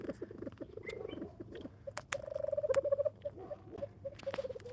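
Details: Male Reeves's pheasant at a pheasantry, described as a mean bird that squeaks like a squeaker toy; quick runs of thin, squeaky pulses, some in a fast stuttering series, with people talking and laughing nearby.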